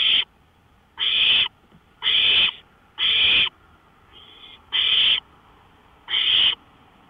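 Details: Owl repeatedly giving harsh, breathy screeches about once a second from a porch at 1:53 AM, 5 May 2013; seven bursts, one much quieter, over a steady faint hum.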